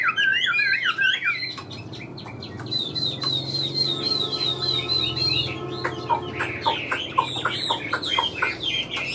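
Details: Caged Chinese hwamei, a large bird with yellow legs and bill, singing while flicking its tail: loud rich warbled whistles rising and falling, then a rapid run of varied slurred phrases mixed with sharp clicks, over a low hum.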